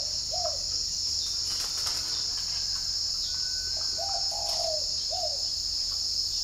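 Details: Spotted dove kept at a bird farm in Ba Vì, Hanoi, northern Vietnam, cooing in the morning: three separate low, hollow coo phrases, each a short slurred note. A loud, steady cricket chorus fills the background throughout.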